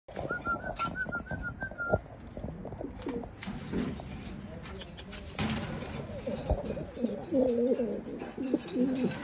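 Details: Homing pigeons wanting to mate: soft low cooing phrases fill the second half, preceded by a short run of higher whistled notes near the start, over a steady background hiss.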